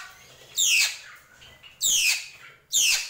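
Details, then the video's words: Drongo in gentolang style: three loud, harsh, screechy downswept notes with a high buzzy sheen, roughly a second apart, with quieter scratchy chatter between. "SRIGUNTING KRANTIL | GENTOLANG"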